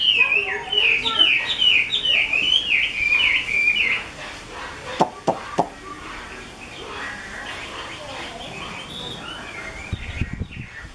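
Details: A keeper's 'mơ' Chinese hwamei pours out fast, high, rippling whistled notes for about four seconds. Then the song fades and sharp clicks and handling noises follow.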